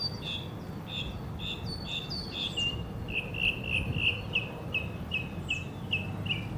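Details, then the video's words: Singing Northern mockingbird, Hermann Park, Houston, Texas, USA: a buzzy doubled phrase repeated five times, then a long fast run of sharp, chirpy notes, roughly three per second, with low background noise. "Sabiá cantando nos Estados Unidos - Northern mockingbird singing Mimus polyglottos"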